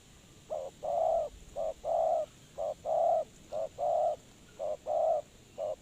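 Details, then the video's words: Spotted dove used as a lure for trapping birds, giving low hollow coos in short and long notes alternating, a brief note then a drawn-out coo, repeated roughly once a second over a faint steady hiss. "Suara Terkukur Pikat Tua"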